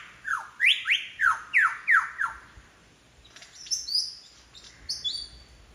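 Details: Lyrebird on Forest Path, Royal National Park, Sydney, running through imitations of other birds: a rapid series of bright downslurred whistles, then softer high thin notes after a pause.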